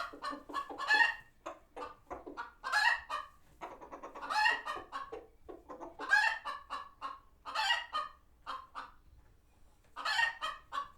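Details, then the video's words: Alarmed chickens at a farm sanctuary, reacting to a passing hawk; dense runs of short staccato clucks punctuated by louder grating squawks, irregular in timing. "Chickens Gone Wild | Farmyard Frenzy |Authentic Clucking Sounds"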